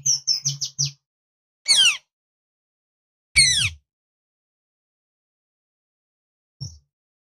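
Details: Rose-ringed parakeet calling loudly: a quick run of short sharp chirps, then two loud harsh screeching calls with falling sweeps about a second and a half apart, and a final brief note after a pause.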